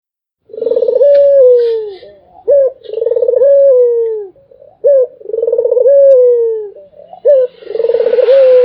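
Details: Barbary dove cooing non-stop, a melodious call: about three cycles, each a short sharp upslurred note, then a rapid rolling pulsed trill that flows into a long, smooth, slightly falling coo, with soft noise at the end.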